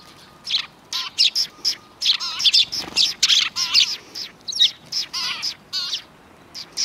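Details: Several sparrows on a road near a Tenmangu shrine, 13 December 2019, giving a busy run of sharp, high chirps and twittering notes, bursts overlapping irregularly about once a second, with quiet gaps between.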